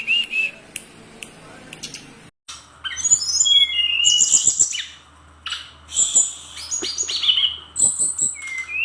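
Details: Brown-chested jungle flycatcher in full lively song: after quieter opening notes and a brief gap, a torrent of very high trills, squeaky slurs and buzzy chatters with downward whistled notes, packed densely and varied.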